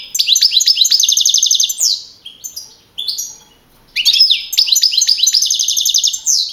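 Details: European goldfinch champion of a 2012 singing contest in Madrid, a young male, giving two bursts of high, rapid twittering song, each ending in a fast rattling trill, separated by a short pause.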